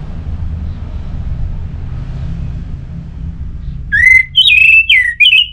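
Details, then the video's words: Orange-headed thrush from North Bali, played to get other birds singing: low hum at first, then a quick string of loud whistled notes with up-and-down slurs near the end. "Anis Merah Gacorr Untuk Pancinggan Burung Punglor Jadi NGeplong Bahkan Teler Kalau Jantan"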